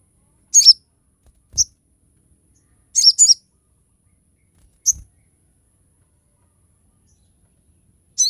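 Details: A Crested jay (Platylophus galericulatus) gives short, sharp, high chattering bursts, some doubled, spaced one to three seconds apart, with a few soft low thumps between; the recording is used to tutor and stimulate other crested jays.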